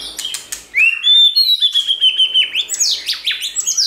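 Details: White-rumped shama song used to stimulate a shama to sing, a rising whistle into a long level tone, then quick bright notes dropping steeply in pitch, repeated several times.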